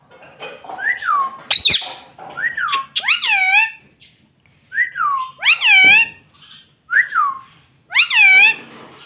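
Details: Pet ringneck parrot indoors mimicking the word "mummy": clear two-note harmonic syllables, rising then falling, given in pairs roughly every two to three seconds, with quiet room background.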